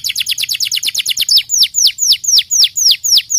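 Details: Singing canary delivering a quick stuttering trill that breaks into long, loud, steeply falling whistled sweeps repeated about four times per second, clean indoor-sounding background.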